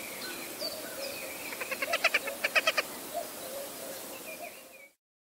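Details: A hen harrier (Circus cyaneus) gives a quick burst of about ten harsh, chattering notes over a second and a half, with faint whistles of other birds behind.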